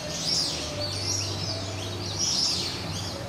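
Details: Wild swamphens of unknown species, a family with two chicks nesting in a turtle exhibit on the Gold Coast, Queensland, Australia, in November 2021, give high, thin, arching peeps irregularly, a few each second, over a steady low hum.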